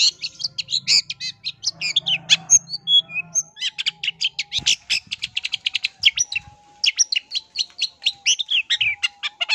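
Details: Lure song from a long-tailed shrike intended to provoke other shrikes: a continuous, rapid stream of chattering, rasping and whistled notes with scattered sharp squeaks, barely pausing throughout.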